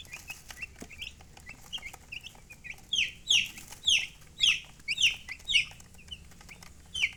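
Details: Soft scattered chick peeps build into loud, regular descending chirps roughly every half second, then fade back to quieter calls over a low hum.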